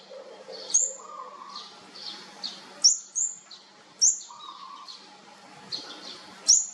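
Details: Olive-backed sunbird chicks of a fourth brood, at feeding time, give thin, sharp high chirps every couple of seconds, with softer twittering between and a faint low hum behind.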